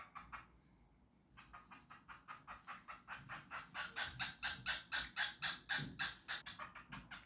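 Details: Cockatiel singing: a fast run of harsh, buzzy repeated notes, about four per second, that swell louder toward the middle and fade near the end after a brief pause at the start.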